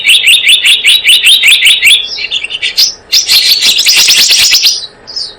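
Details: Blue-eared kingfisher lure recording used by bird trappers to attract the species: a fast series of bright, sharp high notes repeated about three per second, then a dense burst of excited chattering trills.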